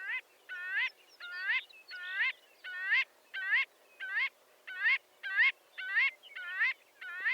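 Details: Marbled godwit calling steadily: loud, nasal, reedy notes with a slight rising bend, delivered in a fairly even rhythm of about one and a half per second against quiet background noise.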